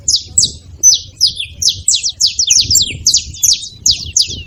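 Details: Saffron finch making noise at a feeding spot: a fast series of sharp, high, downslurred chirps, about two per second, bright and clipped, over a soft low rumble of background noise.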